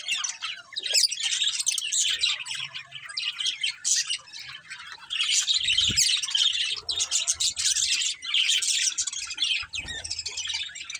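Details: Breeding pair of budgerigars with family: bursts of harsh squawky chirps and fast twittering in clustered phrases separated by short pauses, with occasional low knocks.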